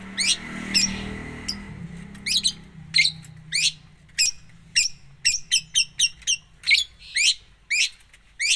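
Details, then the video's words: Long-tailed shrike pouring out 'gacor full isian' song: a soft scratchy phrase over low rumble, then a long run of crisp, high, downslurred notes repeated about twice a second. "cendet gacor full isian"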